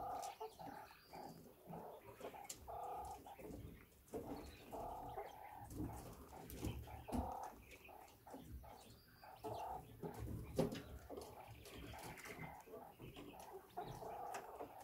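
A quail gives a soft, low, rolling purr, much like a contented kitten.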